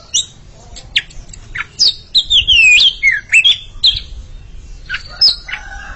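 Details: Oriental magpie-robins, a pair, singing against each other; scattered high ticks give way to a flowing sequence of looping whistles, then a few emphatic downslurred notes.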